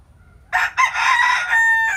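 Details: Morning crow of a rooster in rural Vietnam, a raspy harmonic call opening with a short burst and then stretching into a long, sustained, slightly wavering note that trails off near the end.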